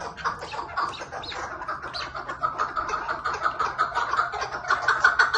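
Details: Chukar partridge calling with fast, steady clucking chuk notes, several per second, throughout.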